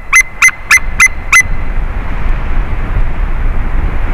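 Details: White-tailed eagle during a changeover on a favourite tree, 30 March 2019 at 14:43; five loud, clipped yelping notes in quick succession, then only low background rumble.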